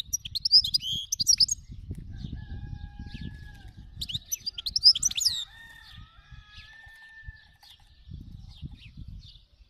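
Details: European goldfinch, 'khalawi' wild form, sings two energetic bursts of tinkling, chattering high notes; between them a thin steady whistled tone carries on, above a constant low rumble.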